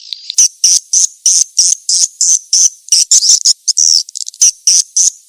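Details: Edible-nest swiftlet calling sound meant to draw in swiftlets: thin, high, buzzy chirps repeated about three times a second in a steady rhythm, briefly running together into a twittering run.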